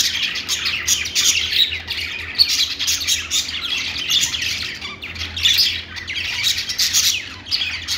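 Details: A crowd of budgerigars in a pet store chirps and chatters nonstop, high warbling notes and sharp squeaks overlapping in a dense, busy chorus with a faint low hum beneath.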